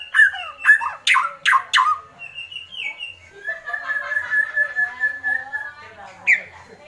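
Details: Agitated white-rumped shama in kretekan mode: a few sharp, slurred squawks and steep downward strokes, short whistled phrases, then a long rolling buzzy trill that ends in a rising squeak.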